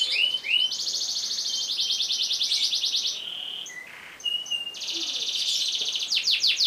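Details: Canary long-roll training song: two rising whistles, then long buzzy trills, a pure held note and brief dip, then another trill ending in fast sweeping notes.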